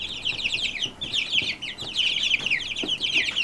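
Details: Brahma chicks from one mother hen cheeping continuously, a dense stream of high, quick downward-slurred peeps from many birds at once.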